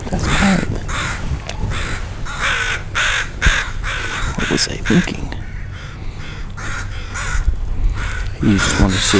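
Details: Crows scolding a dog wandering near fledglings. Hoarse caws in bursts, mixed with human speech and low rumbling noise.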